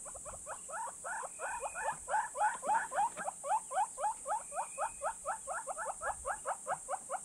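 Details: Male Southern Yellow-billed Hornbill displaying in southern Africa. It gives a long series of hollow clucking notes at about four per second. The notes swell louder partway through, then stay steady, over a constant high insect hiss and a faint whistle.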